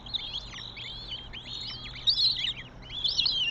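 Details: At a northern goshawk nest in Tartu, Estonia, 27 May 2025, a run of thin, high whistled notes, each curving up and down, comes in quick overlapping bursts, louder toward the end, with a soft low background drone.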